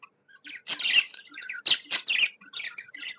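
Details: Pet budgie chatter, said to be happy: a brief burst of scratchy, warbling chirps with a few thin whistled notes.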